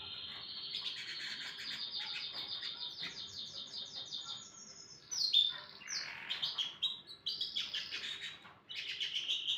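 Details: Canary singing in the morning: long varied song of rapid trills and rolling tours, high and bright, shifting between buzzy repeated notes and sharp upward and downward whistled sweeps, with brief pauses between phrases.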